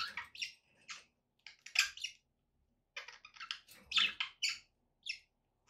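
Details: Pet budgies chatter in short, separate bursts of harsh, scratchy twitters and sharp chirps, spaced irregularly with brief pauses, the loudest squeaky notes near the middle and toward the end.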